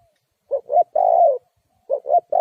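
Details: Lure call of a Spotted dove used to trap wild doves. One full phrase of two quick mellow notes and a drawn-out coo, then the next phrase starting before the cut, over a silent background.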